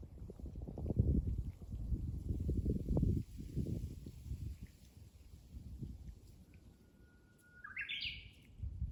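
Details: Japanese bush warbler singing: a long steady whistle held for about a second, then a quick burst of rising and falling notes at the end; loud low rumbling noise fills the first half.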